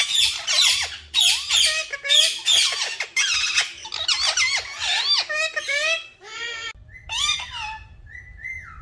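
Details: A rapid series of green talking parrot squawks with curving, dipping notes, gradually thinning into a few drawn-out whistled tones at the end.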